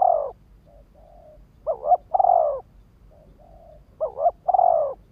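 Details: Decoy spotted dove cooing to trigger wild males: a double clipped coo then a long falling coo, repeated about every two seconds, with soft hushed coos between phrases.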